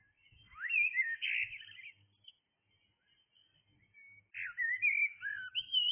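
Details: Blackbird singing in the early hours, a long mellow warbling phrase, a quiet pause, then a second flowing whistled phrase with rising notes.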